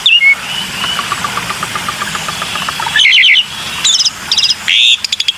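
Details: Black-winged myna used as a lure recording: thin whistles and a rising note open it, then soft repeated chips, followed by loud harsh buzzy bursts and stuttering rattles around three to five seconds.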